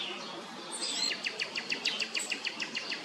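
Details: Downy woodpecker chicks calling in a rapid, even series of short high chirps, about three per second, which grow steadily louder after the first second over a soft hiss of outdoor background noise.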